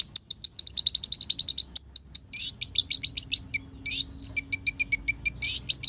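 Olive-backed sunbird song: a fast series of high, thin chips, then buzzy trills and sharp repeated notes, about three or four per second.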